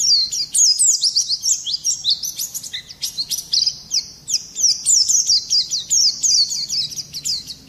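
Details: Oriental white-eye in full 'gacor' song, rolling and harsh in the 'nembak kasar' manner used to provoke rival singing; a dense, shrill stream of rapid chirps and zigzag whistles throughout.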